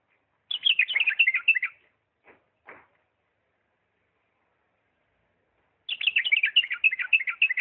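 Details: Sustained, fast warbling phrases from a Diyala bulbul in refined 'lisanat' style, the first followed by two isolated short notes, the second longer and still running at the end.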